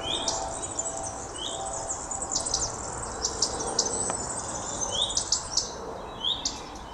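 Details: Calling common redstart (Phoenicurus phoenicurus) giving brief rising whistled notes at intervals of a few seconds, set among a busy chorus of high chirps and trills from other birds.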